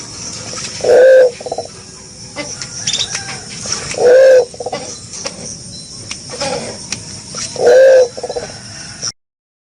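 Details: Green pigeon giving loud, short mellow whistled notes with a rising-falling inflection, each followed by a brief trill, repeated every three to four seconds, with a faint high hiss in the background.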